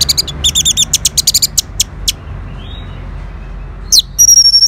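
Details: Orange-headed thrush reacting to a lure sound with a rapid series of short, high, doubled chirps, about four per second, then a pause and a sharp, clear high whistle with quick trilled notes.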